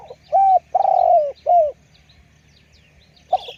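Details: Spotted dove decoy with a big voice uttering one cooing phrase: a brief arched coo, a long hoarse coo sliding downward, and a short coo. A faint background murmur follows, then another phrase begins.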